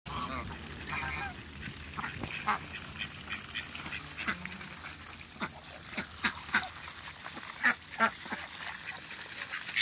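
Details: A pair of Muscovy ducks in a backyard; short, scattered broadband calls come at irregular intervals over faint background noise.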